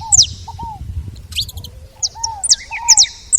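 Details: At a feeder, saffron finch gives scattered high, sharp down-slurred chirps mixed with short lower arched whistles. Gaps separate the bursts, with faint rustling underneath.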